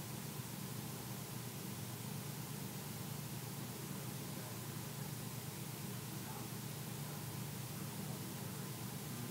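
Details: Constant hiss and low hum of room or equipment noise, with no animal voice.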